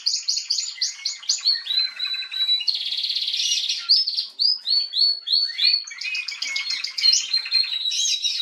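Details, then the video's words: Singing female canary, 21 January 2022: rapid repeated trill notes, a dense buzzy roll in the middle, then a string of quick slurred whistles and chirps. "Kanarengirlitz Canary girl with a very beautiful voice"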